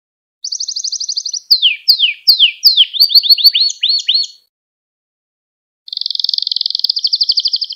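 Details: Canary song meant to train young canaries: a fast buzzy trill, then a run of downward-sweeping whistles and quick rising notes, a pause of over a second, and another rapid pulsed trill.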